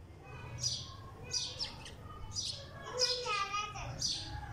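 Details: A sparrow sitting on a wall in Pakistan gives about seven bright, short chirps at an uneven pace, roughly one every half second, with a faint low hum and a possible voice behind.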